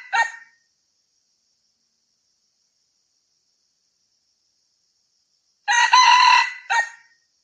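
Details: Red junglefowl crowing, a lure call for hunters: the tail of one crow at the start, long quiet, then a full harsh buzzy crow with a short sharp final note.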